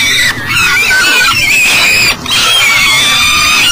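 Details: At 7 a.m., a peregrine falcon with breakfast cannot enter its nest box at an Elk River, Minnesota energy station by the Mississippi River. Harsh, drawn-out wails sound continuously with brief dips, layered over one another.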